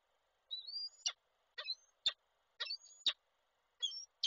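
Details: Peregrine falcons at a webcam-watched nest site in Koszalin, 29 November 2023, as the male arrives with prey for the female, who does not take it; harsh, clipped notes mixed with thin high whistles, in paired bursts about once a second.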